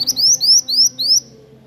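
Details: Zebra finch (burung mantenan) song: a series of four or five high, thin, rising slurred notes, each about a fifth of a second, delivered rapidly over a faint low hum.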